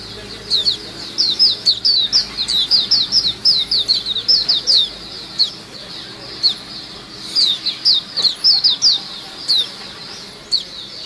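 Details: White-eye flock sound meant to lure birds: clusters of high, quick, downward-sliding chirps come in uneven bursts separated by short pauses, with a faint low background hum.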